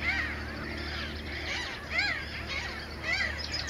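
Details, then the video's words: Mediterranean gulls in a breeding colony at Sol de Loire, Montjean-sur-Loire, Maine-et-Loire, recorded 12 May 2013 alongside Black-headed gulls and Common terns. Nasal, arched calls rise and fall roughly once a second over steady colony chatter. "Mouettes mélanocéphales (Larus melanocephalus, Mediterranean Gull)"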